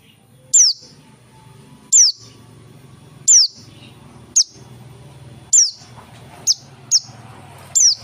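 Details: Dakun-type oriental white-eye, in active voice, repeats short, piercing high chirps that slide downward, roughly every second or so, with soft low background hum between them.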